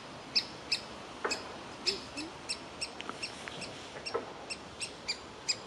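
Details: Young woodpecker waiting in its nest hole for food as the parents try to lure it out; clipped piercing notes repeated at uneven intervals, some closely paired, over a quiet background.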